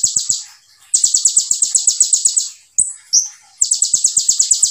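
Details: Kolibri ninja (olive-backed sunbird) singing vigorous 'tembakan' phrases: rapid series of high, sharp, buzzy notes in bursts, with a pair of sliding whistled notes between them.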